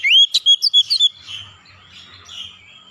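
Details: Oriental magpie-robin calling, a quick run of bright rising whistles and sharp clicks in the first second, then soft background twittering.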